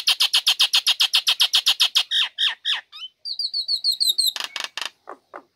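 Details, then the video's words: Female Nias hill myna singing loudly right after its cage cover is removed, kept to lure lazy birds into singing: a rapid run of harsh repeated notes, then a series of short clear whistles and a few rasping bursts. "Jalak Nias Betina Buka Krodong Langsung Gacor Cocok Untuk Pancingan Burung Malas"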